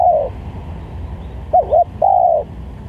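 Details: Luring call of a spotted dove, also used to train birds: the tail of a long coo, then two close arched notes and a drawn-out, slightly falling coo, set against faint low noise.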